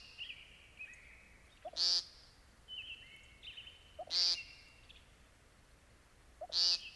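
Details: American Woodcock song: three short, harsh, buzzy notes spaced about two seconds apart, each a broad burst with a bright nasal peak. Thin whistled tones and trills from other callers sit steadily behind them.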